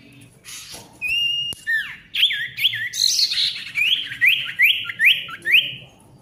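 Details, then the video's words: Lively Ashy tailorbird song for restarting birds that have gone quiet: a long level whistle and a click, then a steady string of about ten sharp, upward-sweeping whistled notes. "SIRTU GACOR RIBUT COCOK UNTUK SIRTU MACET BUNYI AGAR GACOR KEMBALI"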